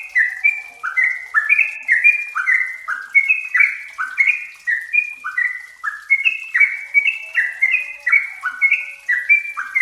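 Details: Yellow-vented bulbuls chatter in a steady stream of bubbly, slurred mid-pitched notes, each dropping in pitch and overlapping so that several birds seem to sing together.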